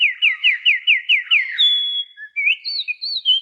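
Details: Unidentified songbird whose voice resembles the white-rumped shama: a clear whistled phrase repeated seven times in quick rhythm, about three per second, then a long flat whistle and rising, wavering high notes.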